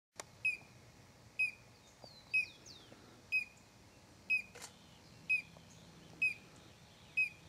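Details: A Collared Crescentchest in São Desidério, Bahia, north-east Brazil, December 2012, repeats a sharp, slightly descending note about once a second, eight times in a row, with faint chirps from another bird early on.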